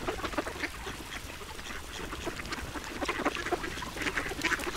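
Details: A duck being fed, giving a dense run of short, harsh quacking pulses, several per second, with rustling feeding noise underneath throughout.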